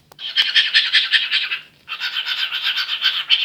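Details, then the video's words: Imitation of a toothbrush by a male cockatiel: two long runs of quick, gritty, rhythmic scrubbing rasps, roughly two to three per second, split by a short silence. "Calopsitte imite le bruit d'une brosse à dents"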